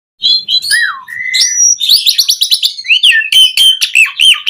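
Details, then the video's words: Asian pied starling song used as a training recording for caged birds, full of varied phrases: whistled slurs falling and rising, a long steady whistle, then a fast run of repeated chattering notes and warbling whistles. "Masteran Jalak Suren Gacor Full Isian JITU Buat Pancingan Kicau Burung Jalak Agar Cepat Bunyi Mewah"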